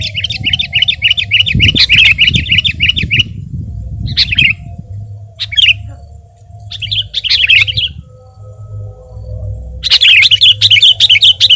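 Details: Sooty-headed bulbul song used as tutor and bait recording: a fast warbling whistled string, short isolated bursts with quiet gaps, and a final lively rush of rolling whistles over a steady low hum.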